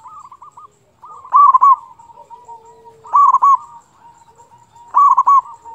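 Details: Lively local zebra dove used to stir rival doves to sing and raise their mood; three strong rolling coo phrases about two seconds apart over faint background cooing.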